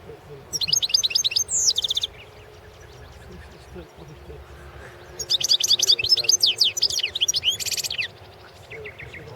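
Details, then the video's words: Goldfinch singing in a 2016 world championship song contest: a short high twitter with a rising slurred whistle, then a longer run of quick, bright chattering notes and buzzy trills. "World championship in Goldfinch Song"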